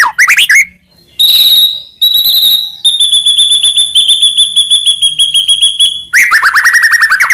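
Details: White-rumped shama master song for provoking other shamas: brief trills, then long steady high whistles held for several seconds with fine pulsing, ending in a fast rolling descending trill.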